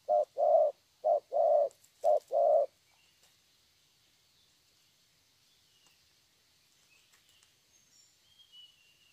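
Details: Young spotted dove said to have a fine voice, from a Vietnamese dove-trapping setting: three paired coos, each a brief note then a drawn-out one, across the first two and a half seconds, then quiet with faint high chirps of other birds.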